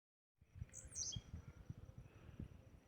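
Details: Wild blue-black grassquit singing in nature: a short, high, buzzy burst near one second, heard over loud low thumping handling or wind noise.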